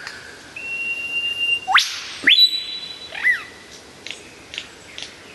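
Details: Lyrebird song, very clear and loud; long pure whistled tones, a sharp upward sweep, and descending slurred whistles, followed by short faint chips about every half second.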